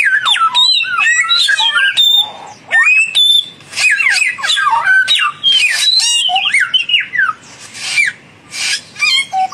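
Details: Samyong birds, one young and one mature, dueling. A dense, chattering run of twisting whistles and squeaky notes comes almost without pause, then thins to scattered buzzy bursts near the end.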